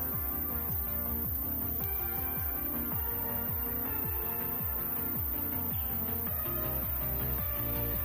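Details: Rhythmic electronic music with a pulsing bass line and layered tones fills the recording, and no animal sounds come through.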